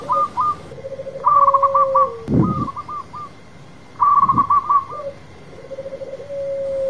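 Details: A local zebra dove sings loudly and vigorously in bursts of rapid, stuttering staccato coos, each phrase ending in a longer soft note, with two dull thumps between phrases.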